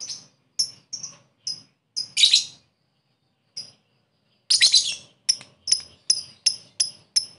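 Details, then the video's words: Lovebird calling a rival for luring, ngekek style: a string of sharp, thin, high chirps about every half second, with two louder harsh rasping notes and a pause in the middle. "Pancingan lovebird memanggil musuh ngekek"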